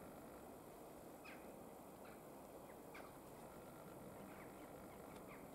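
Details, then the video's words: A Dusky warbler at Stiffkey Campsite Wood on 15 November 2021 gives hard, dry 'tack' notes at irregular intervals, roughly every half second to second, over a steady low rumble of wind or distant traffic. "Dusky Warbler"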